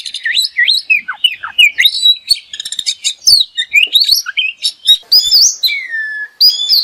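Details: Oriental magpie-robin (kacer), a songbird popular in competitions, in a masteran full of isian and tembakan: a rich, fast run of varied whistles, rising slurs and sharp chirps, with brief pauses and long downslurred whistles near the end.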